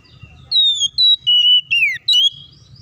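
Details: Oriental magpie-robin song used to prompt other birds into singing and fighting, five strong whistled phrases, sustained high tones with one descending slur, each phrase split by brief silences.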